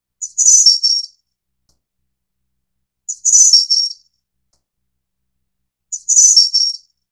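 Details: Three high, thin phrases from a Snowy-browed flycatcher (subspecies innexa, endemic to Taiwan). Each starts with a short pip, then a glittering tinkling burst that trails off, spaced roughly three seconds apart. No other sound is heard.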